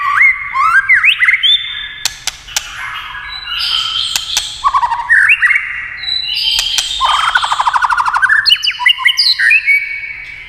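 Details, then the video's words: White-rumped shama in full song, triggered by tail-tapping clicks: a long, varied stream of ringing whistles, upslurs, rapid buzzy trills and chattering phrases, with frequent sharp clacks between them. "chòe lửa tạch đập đuôi cạch cạch kích thích chòe lửa hót"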